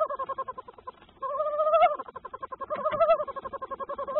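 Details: Tawny owls at the nest as the male delivers food to his brooding mate: a rapid stream of pulsed, nasal calls at a fairly steady mid pitch, briefly pausing, then swelling louder and rising slightly in two bursts.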